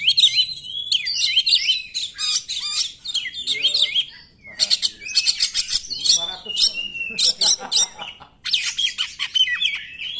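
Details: Oriental magpie-robin singing a loud, energetic song used as a lure to provoke other magpie-robins that will not sing; rapid varied whistles, buzzy rasping bursts and harsh notes with brief pauses.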